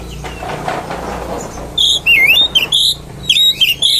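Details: Oriental magpie-robin song played to provoke other magpie-robins: after a murky, noisy start, loud whistled phrases with dipping and wavering notes come in short bursts.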